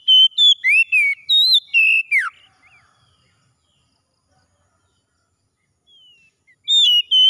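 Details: An Oriental magpie-robin sings in the morning, a fast sequence of sweet whistles and descending slurs lasting two seconds, then a long quiet pause before a fresh phrase begins.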